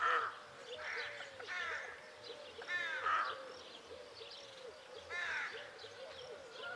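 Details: Several harsh, grating caws from Rook, rising then falling, given in loose pairs with pauses between, over soft background chatter and low hum.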